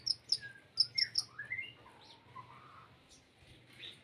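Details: Olive-backed sunbird song with cricket-like inserts: five or six piercing high ticks in the first second and a half, then slurred whistles sliding upward and a softer wavering trill that fades out.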